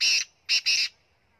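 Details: Kala teetar, the black francolin of Punjab, calling in a brief burst: one loud rasping note, a pause, then a quick pair of coarse, buzzy notes run nearly together, with no other sounds.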